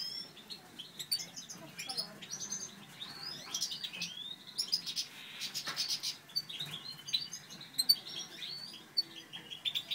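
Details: Breeding satinet canaries, a natural/satinet male and a satinet hen, giving quiet, continuous high twittering with brief sharp chirps and slurred notes, faint over a hissy background.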